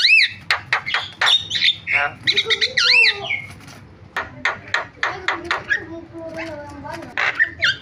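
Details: Javan myna in varied filler song: looping rising-falling whistles, harsh squawks and sharp clicks, then a long string of short staccato chips and a soft low whistled note.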